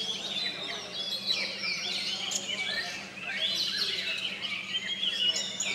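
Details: Oriental magpie-robins kept in cages, competing in the last class of a singing contest at Sri Aman, Sarawak, Malaysia, deliver a busy chorus of sweet whistles, sharp sweeps and twittering phrases, overlapping without pause.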